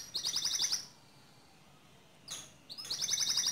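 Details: Canary song meant for training other canaries: two bursts of rapid high trilled notes separated by a quiet gap with a brief broad chirp.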